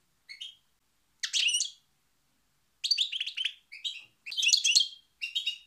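European goldfinch singing in quick bursts of bright, tinkling twitters and liquid trills, high-pitched and jumbled, with short pauses between phrases.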